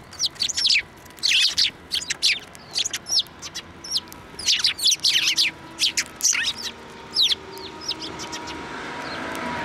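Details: A flock of sparrows taking food from a hand at Tenmangu shrine, 15 March 2024; repeated loud chirps in quick succession for several seconds, fading out into background hiss.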